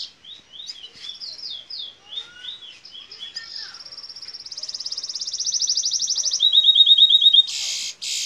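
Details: Song of a locally bred canary x red siskin hybrid, a Fire Red mule from Princes Town, Trinidad, in the bullfinch role style. Varied high warbles give way to a rising, accelerating buzzy trill, a quick run of notes and harsh closing bursts.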